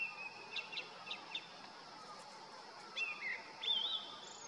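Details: Male Grey-winged Blackbird perched on a deodar twig in the Uttarakhand Himalaya in summer, singing territorial calls down the valley: scattered high notes, then a few clear whistled, wavering phrases near the end over steady background hiss.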